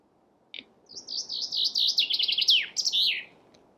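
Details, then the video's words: Chaffinch delivering a full song phrase: after a short single note, a rattling series of high, rapid notes accelerates and speeds into a descending slur, ending in a bright terminal flourish. No other sounds. "Chaffinch Birdsong"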